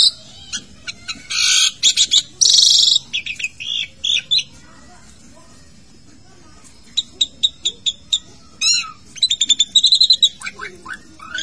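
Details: Asian pied starling in its bathing cage giving bursts of harsh rasping notes and clicks, then after a quiet spell a fast series of repeated chirps and whistled trills.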